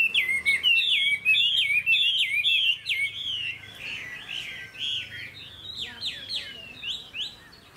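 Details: Chinese hwamei singing in a cage in Vietnam: a rapid stream of looping, slurred whistles repeated almost twice a second, loud at first and gradually fading, with crisp high overtones.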